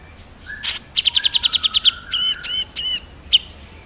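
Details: Crested finchbill singing energetically, recorded as a tutor for songbirds: a quick run of sharp high chips, then three louder ringing, warbled notes and one final chip, over quiet background.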